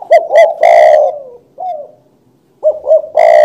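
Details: Spotted dove singing loudly and close: two short hollow coos, a long drawn-out harsh coo, softer fading notes, a pause, then the same phrase starting again.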